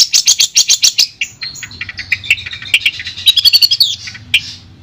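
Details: Long-tailed shrike (Lanius schach) of Madura, singing: a rapid series of harsh, high chattering notes, then a varied jumble of scratchy and whistled phrases, with a faint low hum behind.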